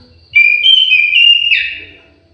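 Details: Sweet whistled phrase from an orange-headed thrush kept in an aviary. A steady tone steps higher, then ends in a brief, richer, slurred flourish that fades away. Little else is audible.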